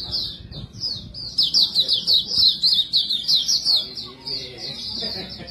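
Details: Non-stop 'bocor' song of a white-breasted white-eye used as bait for wild birds: thin, fast, rippling high notes, about three per second, grouped in a lively continuous twitter with faint low noise beneath.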